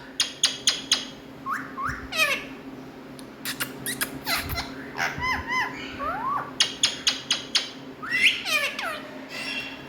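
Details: Talking pet Indian ringneck parrots mix crisp clicking taps with short falling and rising harmonic calls in uneven bursts throughout, against a steady low hum.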